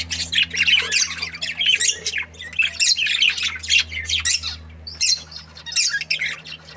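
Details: Budgerigars in a breeding pair keep up rapid, raspy chattering and sharp chirps in quick runs, broken by brief pauses, over a constant low mains hum.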